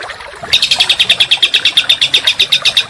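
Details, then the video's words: Songbird training song for contest birds, with rapid, harsh, closely spaced notes. After a quiet half-second, a dense high trill of about seven pulses per second runs steadily to the end. "Masteran Burung Kicau Tembakan Rapat dan Kasar"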